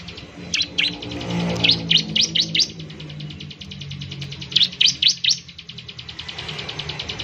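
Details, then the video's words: ['Bar-winged prinia lure song meant to get others singing fast: loud, sharp chirps in two groups of three to five, set against a continuous rapid buzzy trill and a faint low hum.'] "ciblek semi gacor, memancing ciblek semi cepat bunyi"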